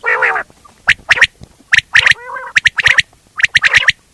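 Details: Loud common quail calling: a rough grating note, then clusters of three sharp clipped notes roughly every three-quarters of a second, with a brief nasal burst.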